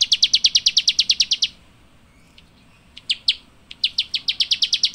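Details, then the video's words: Java sparrow giving a fast train of high, clipped chirps, breaking into a second of near silence, then a few hesitant notes before the rapid chirping resumes. "Rice Eating Birds Chirping"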